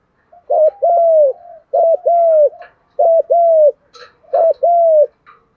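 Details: Spotted dove male and female cooing to stir birds in training: four evenly spaced loud phrases, each a quick double-hooked coo and a prolonged descending coo, about every 1.2 seconds, with faint clicks.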